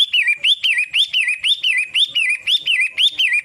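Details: Pentet matahari, a Long-tailed shrike, repeats a clear whistled rising-and-falling phrase roughly every half second in a steady, regular series, with a thin high overtone and a quiet background.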